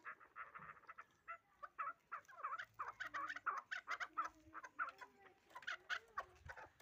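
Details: Hybrid fighting chukar partridge producing bursts of grating, clucking notes, grouped and uneven, some rapid clusters followed by pauses, over about seven seconds.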